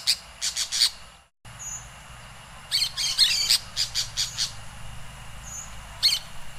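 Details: Orange-chinned parakeets in Costa Rica giving clusters of sharp, scratchy high chirps in quick runs of three to five notes, with a short gap of silence and faint thin whistles in the background.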